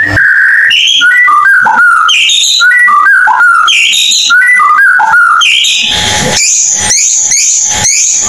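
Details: White-rumped shama song played as a lure for birds that have stopped singing, with loud clear whistled phrases repeated in a set pattern, followed by harsher, buzzier, rapid notes.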